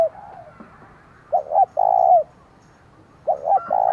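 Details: Decoy spotted dove with a 'giọng thổ' voice, calling loudly to provoke wild rivals. Two clipped coos run into a drawn-out husky coo, and a second phrase starts about two seconds later.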